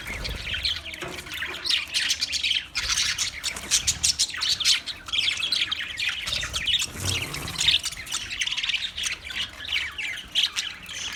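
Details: Budgerigar chirping steadily, a dense stream of quick high tweets and scratchy warbled notes, with occasional faint low bumps underneath.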